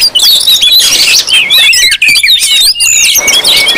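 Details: Noisy Oriental magpie-robin calling for luring and provoking rivals: bright overlapping whistles and fast chirps continue with only momentary breaks.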